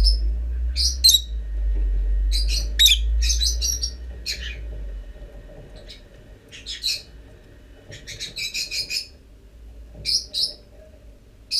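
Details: Lovebird chicks emerging from the nest after almost forty days, recorded 25 December; rapid clusters of high, scratchy chirps in several bursts over a low steady hum that fades after a few seconds.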